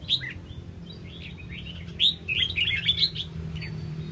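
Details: {'caption': 'Red-whiskered bulbul fanning its tail, giving bright, liquid whistled notes and short warbled phrases, rising and falling, clustered near the end, over a steady low hum.'}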